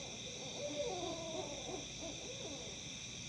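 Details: Owls in Tennessee giving odd, monkey-like calls: wavering, quavering notes at a low-middle pitch rise and fall over about three seconds, set against a steady high-pitched droning background.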